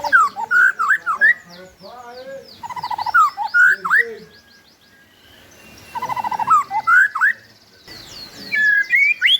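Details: White-rumped shama song used as a lure for birds that have stopped singing: rich varied whistles, slurred rising and falling phrases, and rapid trills in bursts separated by short pauses.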